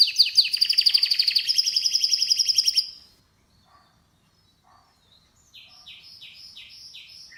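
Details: Canary trilling rapidly for about three seconds, followed by a near-silent pause and then a softer, distant series of short repeated notes.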